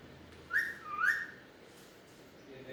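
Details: Alexandrine parakeet mimicking speech, a two-syllable rising whistled phrase like "mit-thu", the second part sliding upward, followed by quiet.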